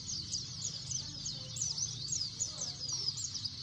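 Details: White-eyes chattering noisily: rapid, high, looping chirps repeated in quick bursts, with a few faint lower notes and a low background hum.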